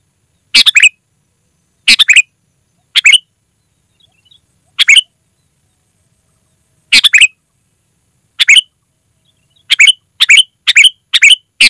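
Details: Loud sooty-headed bulbul, an unmixed recording used to call wild birds: about eleven brief chattering note-groups, spaced irregularly at first and then bunched quickly toward the end.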